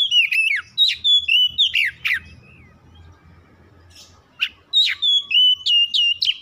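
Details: Oriental magpie-robin (kacer) kept at home, singing a lure song to set other birds off. Rapid downslurred whistles and chirps, a pause of about two seconds, then a new run of repeated bright whistled notes.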